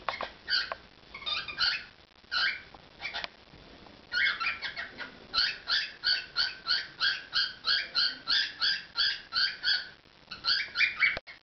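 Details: Indoor pet cockatiel performing, scattered harsh chirps giving way to a fast, steady run of about three repeated squawky notes per second, ending in a few louder chirps and a click.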